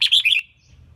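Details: A female red-whiskered bulbul used to spur males on, heard in one loud, fast, warbling phrase of three linked notes ending in a fading slur, followed by low hum.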